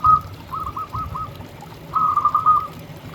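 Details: Local zebra dove singing, used to lure and stir other zebra doves: short runs of soft, hollow cooing notes at even pitch. A quiet pause falls before a second, brighter run over a low background hum.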